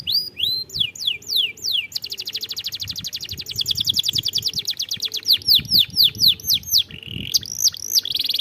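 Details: Canary song played as a lure to get young canaries singing: rapid repeated falling whistles, then fast trills of buzzy notes at about two per second, mixed with sweeping high whistles; faint low background rumble.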